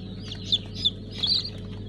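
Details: Brahma chicks hatching at a new hatchery, 5 August 2019, Kurban Bayramı: clear, high, sharp peeps, three or four distinct chirps in under two seconds, above a constant low electrical hum.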